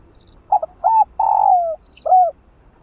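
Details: Spotted dove (cu gáy) giving one cooing phrase meant to stimulate other caged doves: a few clipped notes, a drawn-out coo falling in pitch, and a brief final coo after a pause.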